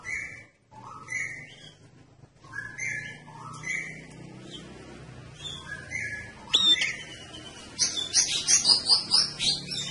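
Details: Red-headed prinia, singing vigorously and used as a lure: soft whistled phrases in short bursts, then a louder passage of rapid, high, sharp chips near the end.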